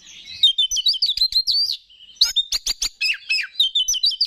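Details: Oriental magpie-robin, known locally as kacer, a competition songbird, in loud lure song to excite rivals: rapid buzzy twitters, a short steady whistle, then bursts of sharp clicking notes and descending slurred phrases.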